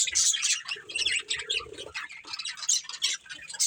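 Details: Budgerigars, a breeding pair, keep up fast twittering chatter of high buzzy chirps with short squeaky notes, joined briefly by a faint lower humming tone.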